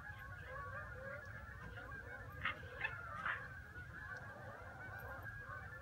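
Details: Geese calling together in a dense, continuous chorus of overlapping nasal honks, with a few louder honks standing out around the middle, over a steady low rumble of background noise.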